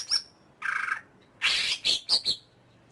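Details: Short greater green leafbird phrase: a thin high whistle, a buzzy rattling note, then three rough harsh calls in quick succession.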